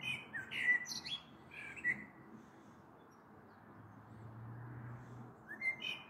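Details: Common blackbird heard on the evening of 21 April 2022 from a balcony, with a storm possibly coming: two short fluty phrases with high squeaks, a steady low hum in between, then another phrase beginning.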